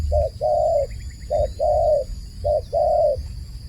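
A dove coos in a soft two-part phrase, a brief note then a longer, even one, repeated about once a second, over a low hum.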